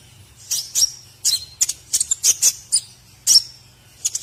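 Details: Masteran training song of a white-rumped shama for other birds: a burst of loud, sharp, high chirps and scratchy notes in quick groups, with brief pauses between phrases, over a faint steady hum.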